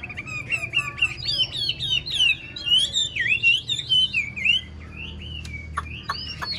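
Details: Old wild-caught Chinese hwamei kept in a cage, singing long fluid whistled phrases that swoop up and down, clear and loud, with sharp clicks and knocks heard in the background.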